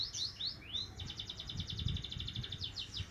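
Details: Young Javan munia learning to chirp, starting with a few rising slurred notes, then a rapid, even trill of high chirps for about two seconds.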